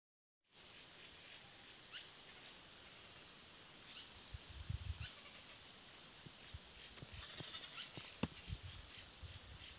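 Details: Baby birds in a nest give short, thin, rising chirps, spaced about two seconds apart. The chirps sit over a quiet background hiss, and a few soft low thumps come near the end.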